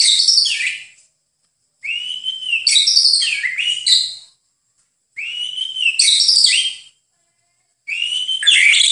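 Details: White-rumped shama song as a master recording for training songbirds: four well-spaced phrases, each opening with a steady whistle and breaking into rich, tumbling high notes, about every three seconds.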